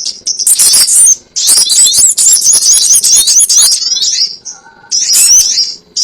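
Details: Sogon bird call for luring birds into traps: long runs of rapid, high, scratchy twittering with squeaky slurred whistles, broken by brief quieter gaps.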